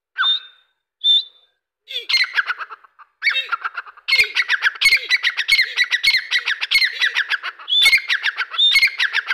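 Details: Grey francolin calling: a few clear whistled notes at the start, then a loud, fast series of harsh, squawking notes repeated several times a second, each with a sharp rising-falling shape, carrying on steadily without other clear sounds.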